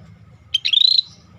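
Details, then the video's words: Scaly-breasted bulbul, a rare bird singing actively: a single high phrase, a sharp opening note followed by a quickly pulsed, gently rising buzzy trill, over a soft low hum. "Suara Burung Cucak Bersisik Gacor"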